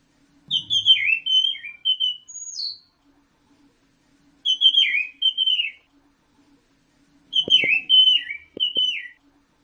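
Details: Singing orange-headed thrush in captivity delivers three similar whistled phrases about four seconds apart, each a quick tumbling series of sliding notes, with a faint steady hum and a few soft clicks.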